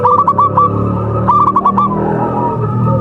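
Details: Local Javanese zebra dove of contest quality singing: two quick bursts of short, rapid cooing notes near one pitch, each burst under a second, over a low steady hum.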